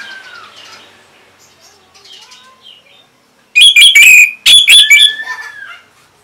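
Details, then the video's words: Orange-headed thrush singing, used as a prompting song to get untrained and stalled birds to answer. After quiet faint chirps, a loud burst of clipped, shrill whistled notes comes in, with a sliding whistle at the end. "Luar Biasa ANIS MERAH ini Mampu Membuat Burung Bahan Maupun Macetan Bisa Langsung Nyaut Ngeplong!!!"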